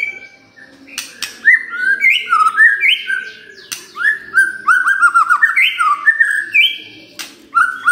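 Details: White-rumped shama singing in the morning, used to draw a quiet bird into song: rich fast phrases of sweeping whistles and slurred notes, varied and continuous, broken by sharp clicks.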